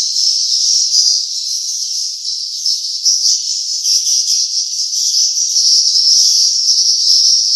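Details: Sound of nesting swiftlets: unbroken, very high chirring and twittering from many birds, steady in level throughout.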